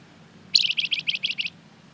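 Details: Flamboyan bird in full voice, a lure to make others reply, delivering a quick string of about seven crisp, high chirping notes, the first the loudest.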